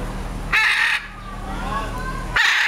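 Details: Two loud, harsh, grating squawks from a hyacinth macaw at San Diego Zoo, about two seconds apart, with faint voices murmuring in between.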